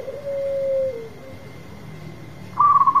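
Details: Local zebra dove, a strong singer, giving a clear steady coo that fades away, followed after a pause by a short bright burst of clipped notes.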